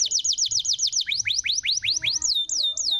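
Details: Canary song used to lure a quiet canary into singing: a very rapid run of repeated falling notes, then slower rising whistles and two looping swooped notes.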